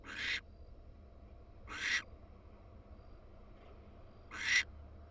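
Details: Nesting wild female barn owl, University of Florida nest box, after laying her second egg; three loud, breathy, noisy screeches, each under half a second, spaced roughly two seconds apart with faint hum between.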